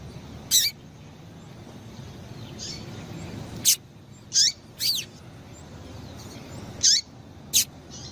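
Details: Rusty-collared seedeater female calls intended to excite a male: high, sharp chirps, some paired, at irregular gaps of one to three seconds, each with a brief downward slur, over faint low background noise.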